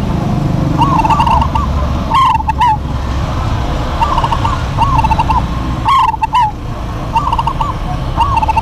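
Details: Local zebra doves in a busy duet: rapid, warbling coo phrases overlap and follow one another almost continuously, with a few sharper, louder bursts standing out against a low droning background.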